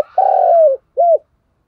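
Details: Decoy spotted dove cooing, played to get newly caught and decoy doves, sluggish in rainy weather, to coo back: one long, mellow, slightly falling coo, then a short pause and a brief arched coo, with clean silence around it.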